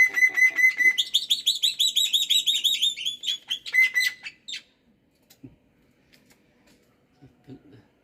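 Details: Black-winged myna singing persistently in the morning: a run of rapid, buzzy harmonic notes with a steady high whistle laid under them, about four seconds long, then near silence broken by faint knocks.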